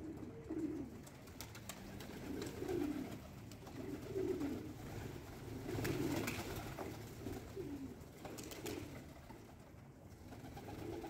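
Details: Several low, throaty coos from pigeons at breakfast feeding time, repeated about every second and a half. Brief clicks and taps sound between them over a low steady hum.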